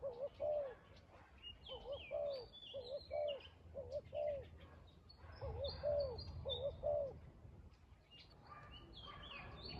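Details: Spotted dove beside a trap, calling soft low coos in short doubled phrases, then a pause, while thin high chirps and twitters of other small birds sound over the top.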